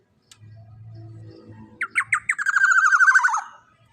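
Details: Juvenile black-naped oriole, described as large-bodied and loud, kept as a training recording for other birds: after a low background hum, three harsh nasal notes lead into a rapid, buzzy, rattling trill that slowly falls in pitch.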